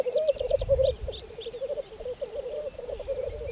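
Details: Fainter, more distant black grouse bubbling at a spring 2014 lek on Saaremaa, Estonia, with high whistled notes and low background rumble.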